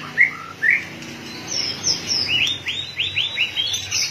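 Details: White-rumped shama in top singing form, tail flicking, gives two separate downslurred whistles, a high thin phrase, then a rapid series of five or six rising, upward-hooked notes.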